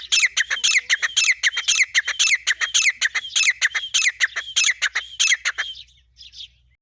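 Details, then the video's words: Female grey francolin, Pakistan, calling without pause: a loud, fast chain of harsh, ringing double notes repeated about twice a second, fading out at the end. "teeter sound teeter Shikar non stop calling female sound of Pakistan"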